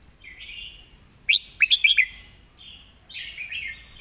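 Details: Red-whiskered bulbul singing its master song with clear diction: faint warbling, then a loud cluster of four sharp, bright whistled notes near the middle, followed by softer chattering phrases.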